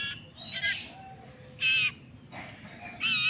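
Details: Hand-fed common iora chick producing a few short rasping squawks separated by quiet gaps.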